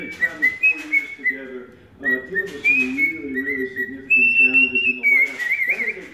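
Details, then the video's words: Pet cockatiel serenading a person's foot indoors: clear whistled phrases held at a steady pitch, with short upward slides, a sustained higher run and a warbling flourish at the end, over a person's low talking voice. "Cockatiel name KIWI serenading Kylie's foot."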